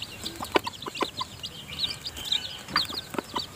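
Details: Mother hen feeding her newly hatched chicks in the nest: dense high-pitched chick peeping runs throughout, broken by several low, abrupt hen clucks spaced about half a second apart.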